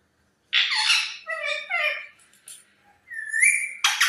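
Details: Parrot giving a harsh broad squawk, then a string of short harmonic chattering notes, a brief pause, and a clear rising whistle that levels off before another loud burst of squawking; indoors, no other sounds.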